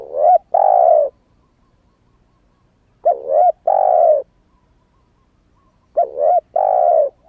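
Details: Spotted dove, a young bird that has just begun calling and has not yet moulted its wild plumage, used to lure wild doves: two-part coo phrases, a short clipped note then a longer full coo, repeated about every three seconds with silence between.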